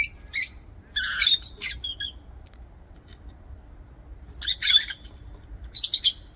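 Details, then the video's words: Lovebird kept in an aviary producing bursts of harsh, scratchy chirps: a rapid volley early on, a quiet stretch, then another loud rasping cluster and a final run of quick high chirps. "LOVEBIRD SOUNDS"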